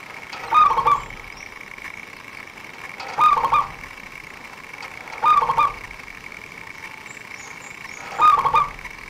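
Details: Zebra dove of local stock used to lure wild birds for trappers. It gives four short trilled cooing bursts at a fixed pitch, repeated roughly every two and a half seconds, against a constant low hum and faint background noise.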